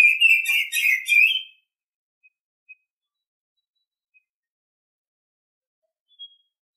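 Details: Oriental Magpie-Robin in the morning giving a short burst of bright, warbled whistling for about one and a half seconds, followed by near silence with a couple of tiny faint notes.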